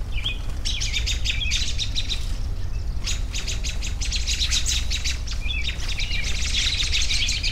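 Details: Bursts of rapid high twittering from a group of birds, with a short quiet gap near the middle, above a constant deep background hum.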